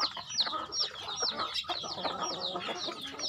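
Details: A crowd of chickens during feeding on a rural farm, with bright falling peeps layered over constant lower chatter and rustling.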